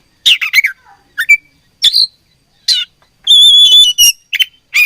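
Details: Oriental magpie-robin in fighting mood: short bursts of sharp whistled and buzzy notes, then a long pure whistled phrase with trills, separated by brief silences.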